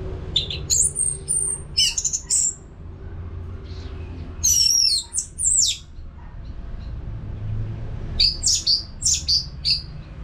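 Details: Orange-headed thrush (Anis Merah) in continuous song used as therapy audio for caged birds, from North Bali: bursts of high, varied whistled and scratchy phrases around two, four and nine seconds, with a low hum underneath.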